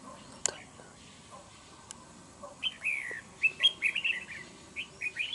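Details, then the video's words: Red-whiskered bulbul used as a fighting trap bird, wild-caught, with a fine voice. After a few soft clicks it delivers a run of loud, rapid, rising and falling whistled notes, getting busier toward the end. "Bẫy Đấu Chào Mào. Cầu Mỏ Cực Tốt . Đấu Găm. Giọng Hay .Cực Gấu"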